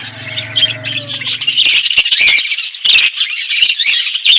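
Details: Several budgerigars kept in an outdoor aviary keep up a continuous high squawky warble, broken by sharper chirps and clicks, with a faint low hum early on.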